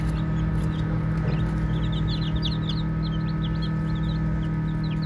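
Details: Chicks peep busily during play, a run of rapid, high, short chirps building after the first second over a steady low drone.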